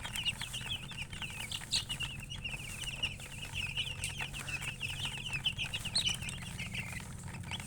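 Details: Several colored chickens with a hen give a steady stream of high, short peeps, many at once, over a low background hum, with a few brighter, louder chirps standing out.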